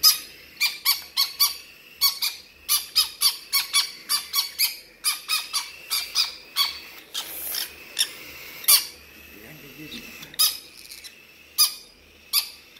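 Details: A conure and a cockatiel fighting over food give harsh, broadband squawks in rapid bursts.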